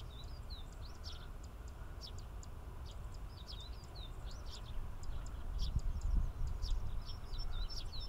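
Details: Tree sparrows of the subspecies saturatus chirping at Inbanuma Lake in Chiba Prefecture, Japan: a busy run of brief bright twitters and downslurred notes, several per second, over constant low-pitched environmental rumble that swells near the end.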